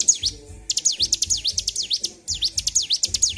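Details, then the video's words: Caged bar-winged prinia, highly agitated and singing continuously: fast repeated high, sharp sweeping notes in quick bursts of about five to six, separated by short gaps, with faint low rumbling behind. "CIBLEK GACOR || PANCING EMOSI BURUNG CIBLEK"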